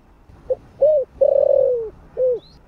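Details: One full phrase from a spotted dove singing in the thổ voice type, used to draw in wild birds: a soft short note, an arched coo, a long tremulous descending coo, then a short falling coo.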